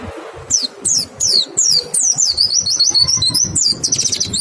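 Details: Lure song of a white-eye meant to draw other white-eyes into singing: a few separate high sliding notes, then a fast continuous run of sharp twittering whistles, with faint low rumble behind.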